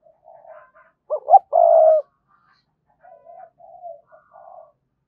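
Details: Spotted dove cooing to lure rival males in to fight: soft low coos, then a loud phrase of two short notes and a long rolling, buzzy coo, followed by further quiet coos.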